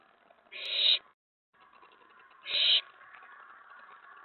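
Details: Owlet in a nest box after a mouse delivery, night of May 19, 2017, letting out two coarse hissing screeches two seconds apart, with a brief gap of silence between them.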